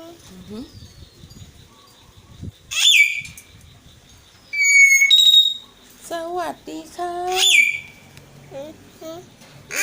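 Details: Four talking common hill mynas kept as pets mimic spoken Thai. Short, nasal, speech-like syllables mix with several loud, piercing whistles that drop sharply in pitch. Quiet background music and people can be heard.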